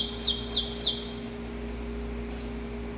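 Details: Saffron finch male in pre-dawn song, courting the female: six high, sharp downward-sweeping notes spaced about half a second apart, each a bright harsh slur, over a low steady hum.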